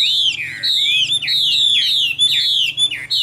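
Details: Chinese hwamei kept in a cage in Vietnam, a bird valued for its good voice, singing loud, continuous whistled phrases. Each is a swooping downslur and upsweep, repeated about every half second without pause.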